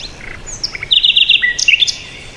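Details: Wild bird chirping: a few thin high chirps, then a quick buzzy trill of repeated notes near the middle, followed by short descending whistles and sharp high chips, over quiet background.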